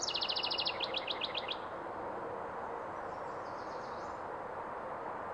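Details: House wren song: a fast, dry trill of evenly spaced high notes lasting about a second and a half, then fading. Steady broadband background noise continues afterwards.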